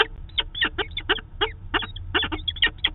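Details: Peregrine falcons meeting, as every day, in Manchester, New Hampshire, seen on a live camera on 2 September 2018; rapid harsh clucking chup notes crowd together, some doubled, over a noticeable low drone.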